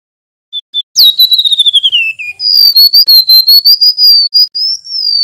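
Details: Male mangrove whistler in full, loud rolling song: two short high notes, then a long run of clear whistled notes sliding down from high to lower pitch, followed by a rapid, steady string of higher whistled notes.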